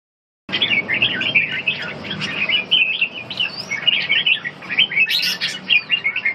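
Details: Red-whiskered bulbul in training for stamina recovery and ché singing, delivering a fast, dense run of chirpy, warbled notes after a silent start, phrases tumbling together continuously with brief higher squeaks near the end.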